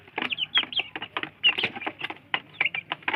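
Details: Young free-range village chickens competing for feed give clear high downward-slurred peeps, several per second, between sharp tapping sounds of beaks striking the ground.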